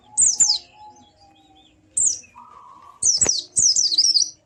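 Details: White-eye song meant to stir a silent bird into singing. Short high chirps with gaps between them, then a longer run of high slurred, wavering notes near the end, over a faint steady hum.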